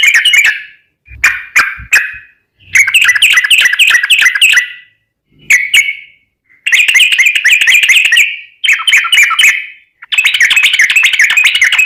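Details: Yellow-vented bulbul, a lure sound for other birds: loud, bubbling chattering phrases of rapid mid-high notes in long bursts, broken by a few short pauses and sharp clicks. Heavily saturated recording.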